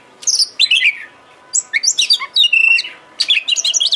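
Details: Oriental magpie-robin (kacer) song played to stir a bird into excited singing with its tail open: dense sequences of sharp high chirps and downward-slurred whistles, including a held ringing tone, in three busy phrases with short breaks.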